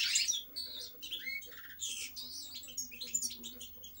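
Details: European goldfinch delivering a lively twittering song: a loud burst of high tinkling notes, then a clear slurred whistle, followed by rapid chattering and buzzy trills, with a faint low background hum throughout.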